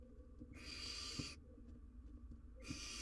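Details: Barn owl chick in the wild, on a live cam, struggling with a large jird. One long, harsh hiss lasts nearly a second, and a second hiss begins just as the sound cuts off. A low hum runs underneath.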